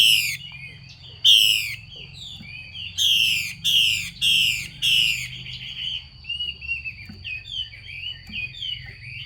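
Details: Female Chinese hwamei calling to stimulate a male to sing: harsh, broad downward-sweeping rasps repeated in short bursts, with softer warbling notes between and a steady faint high tone throughout.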